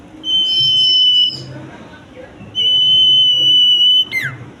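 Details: Common iora in song, giving two long, level, high whistles about a second apart, the second ending in a quick downward slurred note; low background rumble underneath.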